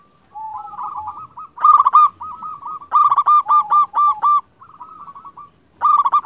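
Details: A local zebra dove used as a lure to make other doves respond pours out soft trilling coos, then loud rapid bubbling coo phrases in rhythmic runs, with a fresh burst at the end.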